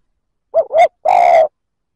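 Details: A lone spotted dove phrase used to rouse rival males: a soft double hoot, a brief pause, then a long steady coo.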